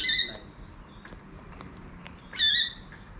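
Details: Wild cockatoo in a backyard in Adelaide, South Australia, giving two loud, harsh, strongly harmonic squawks about two seconds apart, with a quiet background between them.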